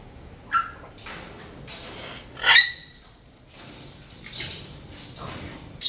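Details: Cockatoo birds voicing a few harsh, loud squawks in short bursts, one strong broad screech near the middle and fainter squeaky calls before and after, with quiet gaps between.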